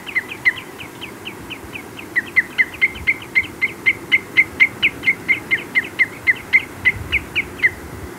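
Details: Common redshank at Adventurer's Fen gives a long run of clear, high, evenly paced piping calls, about three per second, with a second redshank calling in the background.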